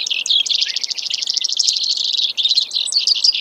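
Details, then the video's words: Brewer's sparrow with a short burst of fast, high, buzzy trilling that shifts pitch slightly partway through, ending in a few quick chips. "Brewers Sparrow Sound, Bird Call"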